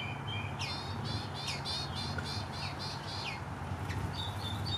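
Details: Western bluebird being hand-fed: a quick run of soft, chattering, wavering notes repeated about every fifth of a second, then a few thinner calls, over a steady low rumble.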